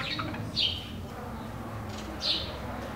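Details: A Bewick's wren gives two short, high, scratchy call notes about a second and a half apart over a steady low hum. It is nesting in a wooden box in a garden in northern Ciudad Nezahualcóyotl, State of Mexico.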